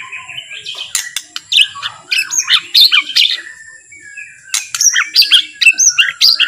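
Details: White-rumped shama, or murai batu, in a relaxed, slow song used to get other shamas singing. A dense, varied run of chirps, ticks and short warbled phrases, pausing briefly before resuming.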